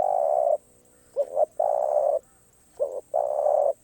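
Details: Spotted dove cooing in the คารมป่าร้อย song style: a short double note, then long steady mid-pitched coos, each about half a second, in three phrases with quiet gaps.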